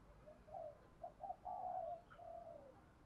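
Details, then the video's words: Spotted dove with a Thổ Gù-style voice, used for luring wild doves to come in fast. One soft coo is followed by two short clipped notes, then a long, level, hoarse coo and a final falling coo. "Cu gáy giọng Thổ Gù thúc rút chim bổi cu gáy rừng nhanh về cội"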